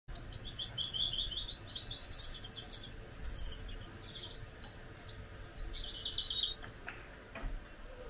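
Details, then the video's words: A pair of pet Gouldian finches: a high, thin, buzzy warbling song runs almost unbroken for six seconds, rising and falling in short pulsed phrases, with soft background hum and a couple of faint clicks near the end. "Gouldian singing"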